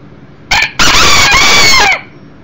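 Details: A one-year-old beta Millefleur d'Uccle rooster visiting indoors, recorded 7/6/13: a two-part stuttering start, then a loud, buzzy crow sustained just over a second, sliding downward at the end.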